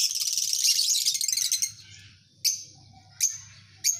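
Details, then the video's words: Lovebird colony in a recording meant to get birds singing long ngekek trills: a dense burst of shrill high chirps for over a second, then three sharp separate chirps spaced under a second apart, with a low steady hum beneath. "Suara Burung Lovebird Koloni, Membuat burung jadi ngekek Panjang Gacor"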